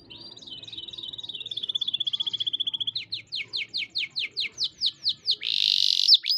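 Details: Lively canary singing with unique melodic turns: a long smooth trill of rapid repeated notes, then a series of loud downward-sweeping whistles about three a second, ending in a harsh buzzy burst.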